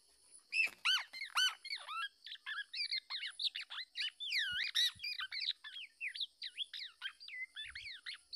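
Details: Black-naped oriole guarding its young against an attacking male: a few strong nasal arched calls at first, then a long, busy run of quick squeaky, twisting chattering notes of varied pitch.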